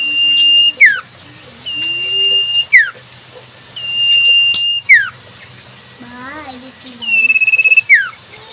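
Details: A wild common iora repeats a long, level whistle that drops sharply at the end, about every two seconds, with softer, lower whistles underneath, recorded in natural surroundings.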